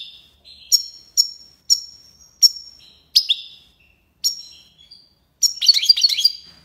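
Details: European goldfinch, tiwawati song style, Algiers, Algeria: sharp high chips repeated about every half second, then a fast jumbled twittering run of bright notes.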